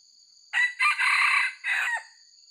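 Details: White-legged red junglefowl crowing, recorded for luring by trappers: a brief harsh note, a quick second note running into a long raspy stretch, then a separate falling final phrase. Steady insect buzz underneath.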